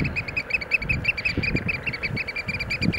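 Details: Eurasian oystercatcher display dance: a rapid, steady stream of shrill piping notes, several per second, with occasional low bumps underneath.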